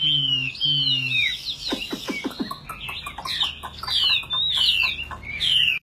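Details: Fighting-bird Chinese hwamei, tame and caged, belting out its song as the cage is hand-carried and rocked: bright, looping whistled phrases broken by a burst of sharp clicks, then more swooping warbles, with a low background drone.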